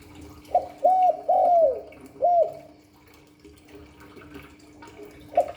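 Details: Spotted dove in the Hạp Bổi calling style: a short note, an arched coo, a long drawn coo and a final hoot, then a quiet pause before another note begins, with faint hum behind.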